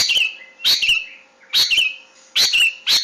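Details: Long-tailed shrike song used as a training recording for caged birds: harsh, buzzy bursts with a falling whistled tail, repeated roughly every 0.8 seconds with short gaps.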